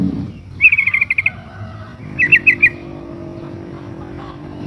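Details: A female sooty-headed bulbul in breeding condition calls for the male as a lure for another bird to answer: two quick chattering runs of bright, clipped notes, the first longer, over a steady low background hum.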